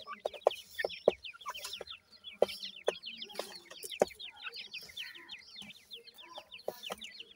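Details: Captive Black francolin brood of five 26-day-old chicks, three females and two males, producing rapid runs of short descending chirps in quick succession, with loud intermittent knocks and taps between them.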